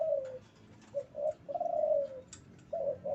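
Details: Male spotted dove in breeding condition: a falling coo, then two short notes and a long, slightly wavering drawn-out coo, followed by the start of another phrase.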